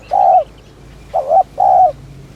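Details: Spotted dove call meant to stimulate other doves; one long level coo, then a short wavering note and another long smooth coo, low and mellow against a quiet rural background.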